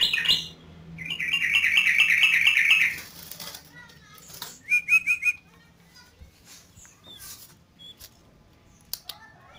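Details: Yellow-vented bulbul in energetic 'gacor' song: a loud, dense burst of rapidly repeated bubbly notes lasting about two seconds, then a few short, sharp chirps and quieter scattered notes.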